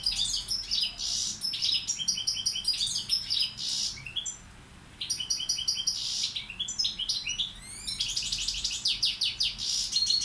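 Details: Male goldfinch of the balcanica subspecies used as a tutor sings long bouts of jangling high twitters and buzzy trills, pausing briefly around the middle before resuming with rapid descending chirps.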